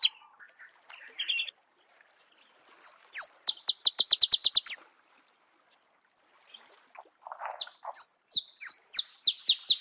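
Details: Marico sunbird (Cinnyris mariquensis), song.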